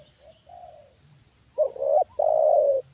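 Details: Trained spotted dove reacting to a wild bird brought down for the second time: a soft low coo, then a loud hoarse two-part coo, a short note followed by a longer, slightly falling one, over a faint high hum.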